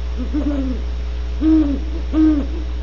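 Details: Soft, low hooting from great horned owls at a California ranch reserve: a wavering opening phrase, then two separated, firmer hoots, all over a continuous low hum.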